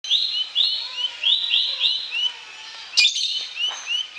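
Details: Bar-winged prinia song used as a lure for silent, stalled or sluggish birds: bright high chirped phrases repeated about every half second, then a sharp burst and softer rising notes.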